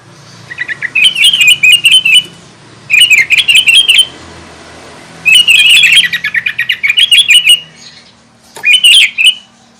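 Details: Energetic sooty-headed bulbul singing to rile up rival bulbuls, delivering four bursts of rapid, chattering chirps separated by short silences, with a faint low hum underneath.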